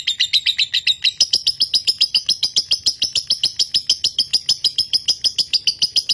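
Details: Lovebird of the konslet type, a caged bird from a Nganjuk breeder, delivering nonstop high chirping: about thirty-five sharp, evenly spaced notes in six seconds. The pitch stays shrill and level, and there are no other sounds.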